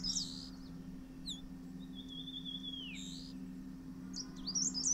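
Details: Male Dark Grey Bush Chat waiting on a Berberis shrub near its Himalayan nest with chicks; short high chirp clusters, a long thin whistle sliding downward, then more quick chirps at the end.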